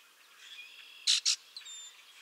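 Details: Common Grackle in a southern Maine backyard in late March, early spring, giving two quick, harsh, grating bursts like a rusty hinge or squeaky gate, followed by thin high squeaks, with faint whistled notes behind.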